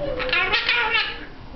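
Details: A pet Hahn's macaw talking as it usually does, giving a quick run of scratchy, nasal, speech-like syllables over about a second in a small indoor room.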